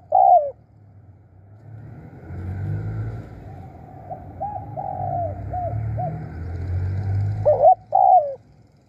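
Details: Spotted dove used as a decoy, with loud throaty coos at the start and end and a series of faint hooked coos in between, over steady low engine-like rumble.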